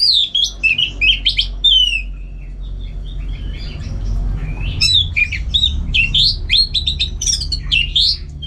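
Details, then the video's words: An orange-headed thrush singing energetically at home before contests: dense varied warbling of slurred whistles and sharp chips, sometimes pausing briefly, against a low background hum. "Super Kicauan ANIS MERAH Gacor"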